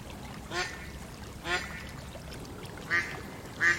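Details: Duck on a pond giving four spaced, hoarse quacks, each about a second apart, over constant background noise.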